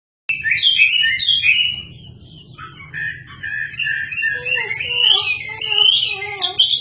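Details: Chinese hwamei, a caged songbird used to tutor magpie-robins, singing vigorously: rich whistled phrases sliding between high and mid pitch, then a run of lower warbled notes rising again into bright repeated trills.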